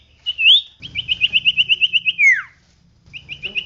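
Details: Energetic common iora song used as a training recording for cage birds: a swooping whistle, then a rapid run of about ten clear whistled notes, a falling slurred whistle, and a fresh burst of quick repeated notes.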